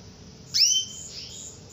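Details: Female canary calling to lure a male into singing: a single rising, then level, whistled note lasting about half a second, over a soft background hum.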